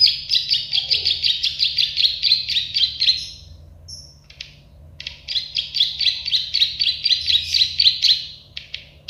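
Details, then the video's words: Prenjak sawah, the plain prinia or klik-klik bird, sung as a tutor track: two long rhythmic trains of sharp, buzzy clicking notes, around four each second, split by a brief pause near the middle. "Masteran burung prenjak sawah klik-klik"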